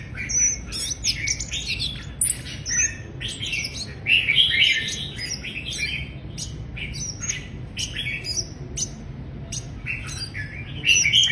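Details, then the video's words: Dense, busy song of Mrs. Gould's sunbird: sharp high chirps, squeaky notes and tinkling trills tumbling together almost without pause, with louder bursts throughout. "Mrs. Gould's Sunbird"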